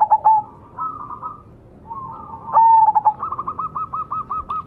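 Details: Lure song of a majapahit zebra dove: stuttered coo phrases, then a long clear coo breaking into a rapid, even run of short repeated notes, with light background hum.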